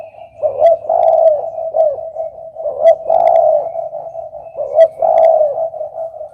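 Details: Low, throaty coos from a spotted dove, repeated in a rolling series with louder emphasized phrases about every two seconds and a faint low background rumble.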